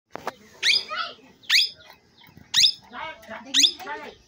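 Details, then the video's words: Parrot giving loud, harsh downslurred squawks about once a second, four in a row, each trailed by softer warbling harmonic notes, with faint background noise. "parrot sound l parrot voice"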